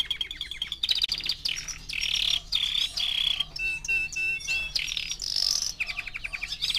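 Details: Canary of four months singing mixed phrases: buzzy bursts, a few clear whistled notes in steady series, and quick rolling trills, all loud and continuous.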